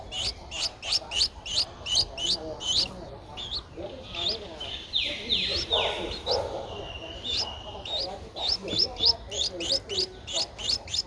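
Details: A 12-day-old Streak-eared Bulbul chick, Ubon Ratchathani, Thailand, April 14, 2023, calling in fast runs of bright, high rising chirps, pausing midway for a few longer buzzy notes before the rapid chirping resumes.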